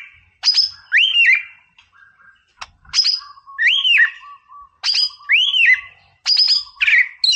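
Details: 'Boomerang' style song of a vigorously singing white-rumped shama, used to provoke a rival: loud phrases repeat about every two seconds, each a sharp chip followed by a bright, arching whistle and a low trailing whistle.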